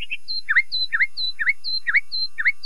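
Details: Common nightingale, a secretive, solitary songbird of leafy woodland, singing clear whistled phrases: high thin notes alternating with repeated down-up swooping notes, about five in under three seconds, quiet background.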